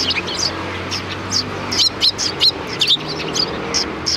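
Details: Several sparrows welcoming a visitor at the back entrance of a Tenmangu shrine on 25 February 2020, giving short high chirps in quick irregular succession over a low steady hum.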